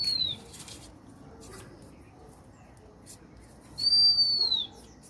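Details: A high, pure bird whistle that ends in a downward slide is followed after about three and a half seconds by a second, longer whistle of the same shape, over faint background noise.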